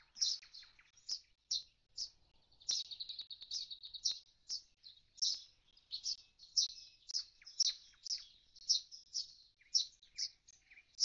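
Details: Common starling lingering by an empty nest box once the fledglings have left; dense string of high chirps, a fast buzzy trill around the third second, then evenly spaced chirping.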